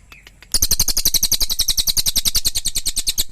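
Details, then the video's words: Cililin singing a fast, steady series of bright, high-pitched chirps after a brief quiet start, the notes repeated several times a second throughout. "Suara Cililin"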